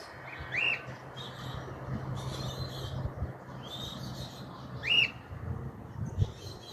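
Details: Free-flying cockatiel found on a house rooftop in 2023, in a region where the species is not normally seen; two loud rising whistled calls, about four seconds apart, over low steady background hum.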